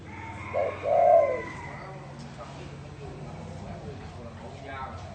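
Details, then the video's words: Spotted dove gives one low phrase, a short note then a drawn-out mellow coo, over a steady background of rumbling noise and faint murmuring. "tiếng chim cu gáy gù độc lạ"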